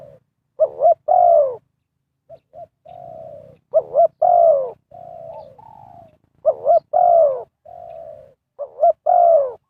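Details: Decoy spotted dove calling to attract wild birds for trapping. It gives low mellow coos in a steady rhythm: short quiet notes, then a louder trembling double coo, four phrases in ten seconds.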